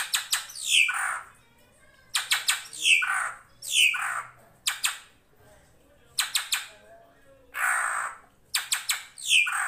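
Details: Drongo (srigunting krantil) in a full-isian master recording for training songbirds: harsh, rasping squawks that drop in pitch, each led by sharp clicking notes, repeated in tight bursts roughly every two seconds.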